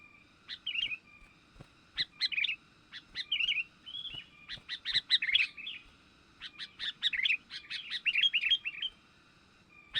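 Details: Sooty-headed bulbul, a young bird, used as a lure call for catching wild birds: bursts of bright chirpy, bubbling notes in short phrases, repeated through the clip with brief pauses between.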